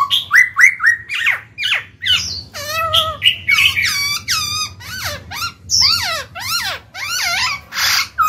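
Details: A black-throated laughingthrush sings rich, varied phrases to stimulate other birds to sing: quick rising whistles, wavy warbled notes and swooping slurs follow one another almost without pause.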